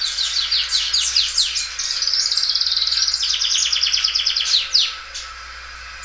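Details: Belgian canary singing loudly and drawing out its phrases: quick slurred notes lead into a long, even rolled trill of rapidly repeated notes lasting about three seconds, then short downward sweeps.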